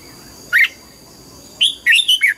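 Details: A red-whiskered bulbul sings in the morning while trained for double notes: one clear warbled note, then a quick string of four liquid whistles, each dipping and rising, against a faint steady whine.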